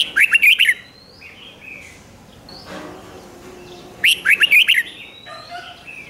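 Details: Red-whiskered Bulbul song from caged birds, played to rouse other bulbuls: two fast warbled phrases of several sharp notes four seconds apart, with thin whistled calls from other birds in between.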